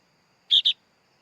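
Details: Sooty-headed bulbul chick: two quick, high, buzzy chirps in close succession, otherwise near silence.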